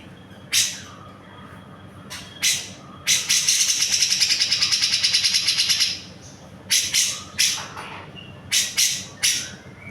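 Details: Grey-cheeked bulbul, locally cucak jenggot, in a training recording for songbirds: scattered sharp high chips, then a rapid buzzy rattle lasting about three seconds, followed by more irregular chips.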